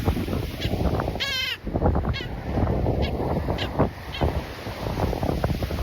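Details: An angry Black Skimmer dive-bombing a person walking a Lovers Key beach at low tide, August 20, gives nasal, barking yaps, one long wavering call then four or five short ones, over heavy wind and surf rumble.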